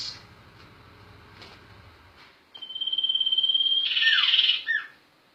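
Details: Sirtu bird sings after a quiet start: a long thin steady high whistle with rapid pulsing, rising into a loud buzzy trill, then two short falling notes.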